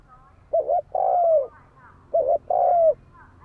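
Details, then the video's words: Two close coo phrases from a spotted dove, used to provoke fighting: each a brief bouncing double note, then a longer soft coo that slides downward, about a second and a half apart. "Tiếng chim cu gáy đấu bổi dùng kích mồi cực chuẩn"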